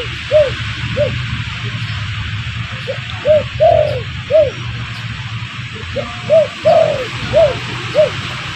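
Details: Spotted dove used as a lure to bring in wild birds: steady series of about a dozen low, rounded coos, some longer and swelling, over a constant soft hiss.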